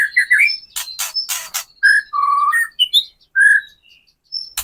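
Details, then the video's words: Lively white-rumped shama song used as a lure for caged birds: varied whistled phrases, a low sustained warble and high thin notes separated by short gaps, broken by a few harsh rasping bursts. "KRETEKAN MURAI BATU GACOR AMPUH UNTUK PANCINGAN MURAI BATU AGAR BUNYI, EMOSI dan BONGKAR MATERI"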